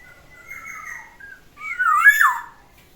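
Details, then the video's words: Black-naped oriole, a pet bird, singing in the morning: a soft level whistle, then a rich, fluting, liquid phrase that rises and then sweeps down, loud and close. "OCEHAN BURUNG KEPODANG DI PAGI HARI, SUARANYA BIKIN ADEM"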